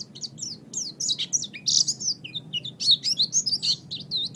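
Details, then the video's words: Pet oriental white-eye training song, a continuous high twittering of quick slurred whistles and chips, rising and falling notes tumbling without pause, with a faint low background hum. "MASTERAN GACOR - Suara Burung Pleci"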